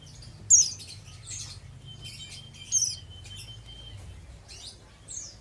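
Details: Oriental white-eye, an untrained bird in the ngeriwik style, giving sparse high chirps and short twittering bursts with wing flaps, over a steady thin high whine.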